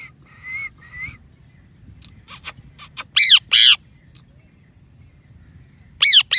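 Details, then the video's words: A playful pet parrot gives two rising whistled notes, then loud harsh squawks and screeches in short bursts, some falling sharply in pitch. "Real Parrot Voices – Whistles, Talking & Chirping Sounds"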